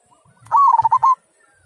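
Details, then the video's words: Single kung-style phrase from a local zebra dove: about half a second of quick, pulsing, bubbling coos at a steady mid pitch, preceded by a soft click, otherwise quiet. "Perkutut Lokal Suara Kung"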